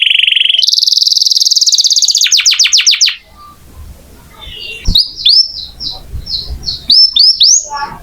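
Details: Lively canary used to teach magpie-robins: a buzzing high roll and a burst of falling notes, then quieter scattered upslurred chirps and short twitters.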